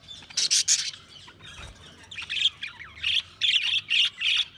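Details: Budgerigar chirping: a couple of loud harsh squawks at the start, a brief quiet gap, then a steady run of short scratchy chirps roughly every third of a second.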